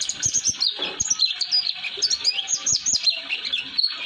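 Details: Rapid jumbled chirps and thin slurred whistles run on steadily in this 'roll durasi' song of an Oriental white-eye, a recording meant for tutoring young white-eyes; faint low knocks sound beneath.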